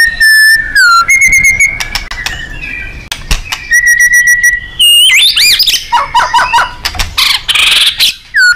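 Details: White-rumped shama in 'gacor & nembak' fighter style, recorded as tutoring material for contest birds: clear level whistles, fast buzzy trills, then a tumbling sequence of varied chirps and warbled slurs.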